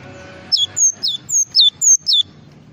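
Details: Java sparrow singing a full isian song: a run of six loud, sharp whistled notes, each sliding steeply downward, spaced about a third of a second apart against a faint low hum.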